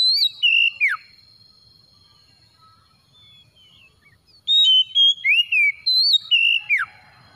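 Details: Oriental magpie-robin lure song meant to spur a quiet magpie-robin into full song: clear whistled notes, some dropping steeply, in two loud bursts separated by about three seconds of near silence.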